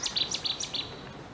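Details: On a morning by a stream at the historic Aras Bridge, beside an orange grove, with frogs heard in the distance, a small bird gives a quick run of about four high, thin, downward-sweeping chirps, each followed by a brief trill.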